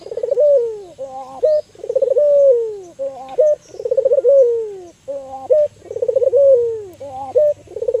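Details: Albino local Barbary dove calling as a lure to stimulate other doves: a rolling, pulsed coo that slides into a long, smooth falling note. Short, bright two-tone notes come between them, and the phrase repeats about every two seconds.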